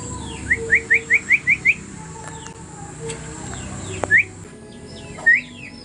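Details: Oriental magpie-robin in the ngobra singing style, offered as learning material: a burst of seven short, rising, whistled notes in quick succession, then two more single upswept whistles after pauses. Faint background hum.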